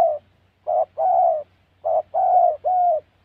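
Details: Spotted dove calling in wild Central Highlands forest of Gia Lai, Vietnam, in a trapping setting: low hoarse coos, each phrase a short note followed by a longer, slightly falling one, repeated twice in quiet surroundings.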